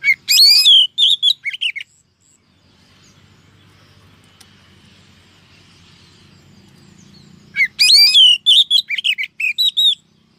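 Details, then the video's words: Female Oriental magpie-robin calling to lure males for trapping: a burst of loud whistled and chirped notes, then about six seconds of faint low rumble like distant traffic, then another similar burst of bright notes. "Chòe than mái mới nhất 2023 kích trống dụ bổi nhanh ra giọng"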